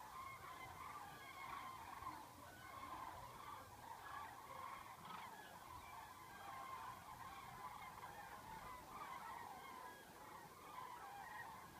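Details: Thousands of migrating common cranes fly over Dillenburg, Germany, on 19 October 2013, forced into a stopover by bad weather and shifting wind, giving a continuous dense chorus of loud, rolling, trumpeting calls over a low wind or traffic rumble.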